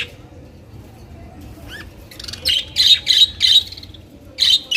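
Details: Colorful budgerigars give a quick run of harsh, scratchy chirps after a brief rising squeak, about five calls in close succession, then a pause and two more chirps.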